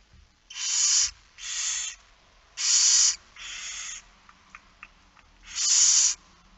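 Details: Barn owls at the nest during a night feeding, recorded 10 September 2019 at 22:45: five drawn-out, harsh, hissing screeches of under a second each, irregularly spaced, with faint ticks between them.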